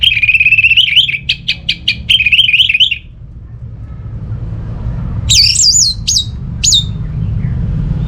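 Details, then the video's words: Fast, wavering whistled trill from an orange-headed thrush lasting about three seconds, then quiet, followed by a few high looping whistles and sharp chips over low rumble. "Gak Sabar ANIS MERAH Mau Nyaut Gacor"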